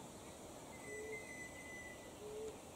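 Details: A pigeon in Australian numbat bush near a dam in spring, as days grow longer and warmer, gives two soft, low whoo notes about a second apart over a faint, thin high whistle and steady outdoor hiss.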